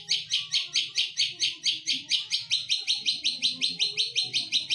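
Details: Long-tailed shrike (cendet), a kept songbird in Indonesia that imitates other birds, delivering a continuous fast series of harsh high chattering notes, evenly repeated throughout, with faint low room noise beneath.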